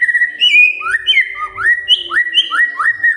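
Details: Magpie-robin song for the morning, meant to make silent magpie-robins reply: a flowing run of sweet whistled notes, each sliding up or down, delivered in quick succession without a break.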